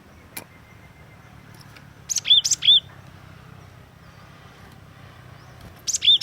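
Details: Glatik watu, a cinereous tit, calling in brisk doublets and triplets of high, arched whistled notes. A pause of several seconds follows before another short burst, with a single sharp click early on and faint low hum throughout.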